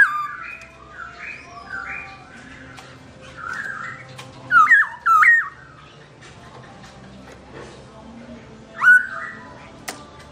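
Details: Black-throated laughingthrush singing while its owner is away: loud, melodious whistled phrases in short bursts with rising and falling notes, quieter chirps in between, and faint room noise underneath.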